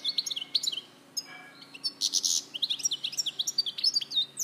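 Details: European goldfinch at Larache in 2014, song of bright twittering notes broken by a brief pause, then a harsh buzzy burst followed by rapid liquid chirps and trills.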